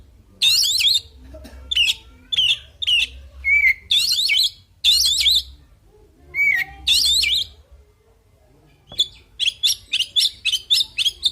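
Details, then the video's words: Oriental magpie-robin delivering a full, agitated fighting song: loud bursts of harsh, warbling, rapidly sweeping phrases, some separated by a clear falling whistle, repeated every half second or so, with a quicker run of short notes near the end. "Suara Burung Kacer Full Isian Tarung Bikin Emosi"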